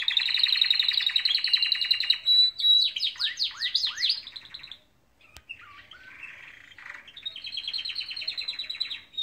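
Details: Canaries singing in the morning: fast rattling trills and rolling phrases, then a burst of steep downward-sweeping whistles, a short lull with a softer, lower warble, and then a bright sustained trill that resumes and continues to the end.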